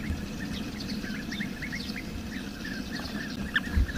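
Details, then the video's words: Wild bee-eaters give lively, rising chirps in quick succession, several birds overlapping, with a low rumbling background and a few soft thumps near the end. "SUARA BURUNG KICAU"Bee-Eater"(Kicau Mania)Gacor di alam liar."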